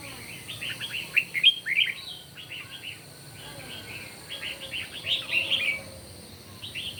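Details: Red-whiskered bulbuls singing against each other in the morning; rapid runs of short bright chirpy notes repeated about three per second in lively overlapping phrases with brief gaps, over light background hiss.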